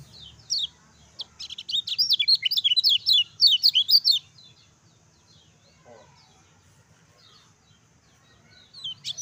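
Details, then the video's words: Lemon-bellied white-eye in energetic song used to train and excite lazy-singing birds: a dense run of rapid, high, slurred chirps lasting nearly three seconds after a few opening notes, then near silence, a soft tap, and a brief return of chirping at the end. "SUARA KECIAL KUNING GACOR NGEJOS AMPUH RANGSANG KECIAL KUNING CEPAT BUNYI"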